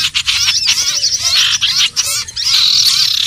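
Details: Common iora (sirtu/cipoh) calls used as a lure for trapping: dense, busy high chirps and short whistled notes that overlap with almost no pause, giving a noisy, excited chorus.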